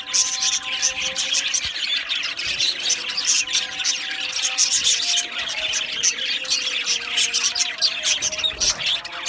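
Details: Aviary flock of Australian budgerigars chattering nonstop: rapid overlapping chirps, squeaks and rasping notes packed together, with faint steady low tones and a soft thump near the end.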